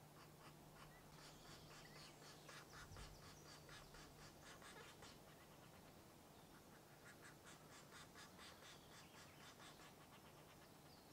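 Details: European green woodpecker at its nest site in a Dorset wood: harsh, rasping broadband notes repeated about twice a second in uneven runs, pausing briefly midway, with faint woodland background.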